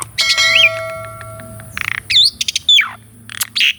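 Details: Caged Asian pied starling singing a master song meant to coax a silent starling, recorded with a Sony A6400: a rising whistled note, a long harsh buzzy burst, then a sharp falling whistle, separated by short quiet gaps.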